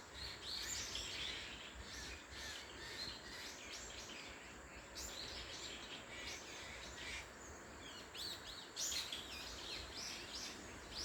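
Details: Birds singing on the Moraksan trail, giving bright, high chirps and brief twitters scattered through the recording, with a louder burst near the end, set against constant outdoor hiss.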